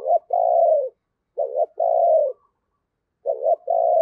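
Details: Decoy spotted dove cooing to attract wild doves: three phrases, each a quick wavering double note followed by a long drawn-out coo, separated by silences.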